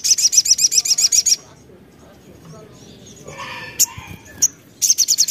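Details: Crimson sunbird song used as a lure to draw responses from other birds: a rapid high buzzy trill, a pause filled with softer lower sounds and a few sharp chirps, then the trill returns.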